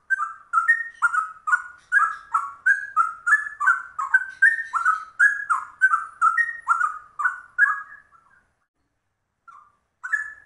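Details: A long, fast ropel song from a rare trucuk bulbul, sounding like a straw-headed bulbul. Rolling whistled notes tumble up and down for eight seconds, then fall quiet before two brief closing notes.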